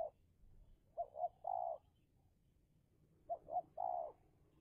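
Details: Spotted dove decoy from Indonesia in a territorial duel with a wild dove. Two three-note phrases, two brief rising hoots then a sustained low coo, separated by a long quiet pause.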